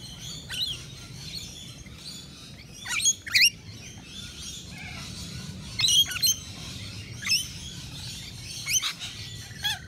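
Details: Rainbow lorikeets, native Australian parrots, at a balcony nectar feeder: short harsh screeches in pairs and clusters, roughly every couple of seconds, piercing and high, with low chatter beneath.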